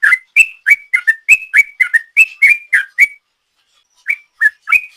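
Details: Sooty-headed bulbul lure song in 'ropel' style: a brisk three-second burst of sharp whistled notes, a second of silence, then a few more spaced whistles.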